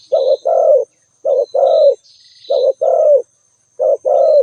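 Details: Spotted dove calling: low, mellow two-part coos, a short note then a longer falling one, repeated four times about every 1.3 seconds. A faint high steady whine and soft higher chirps sound in the background.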